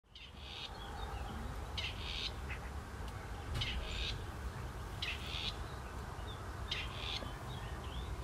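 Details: Grey partridge calling in the evening in a field in North West England, where it is uncommon, gives harsh, grating two-part rasps like an old camera, each about half a second, roughly every one and a half seconds over a steady low rumble.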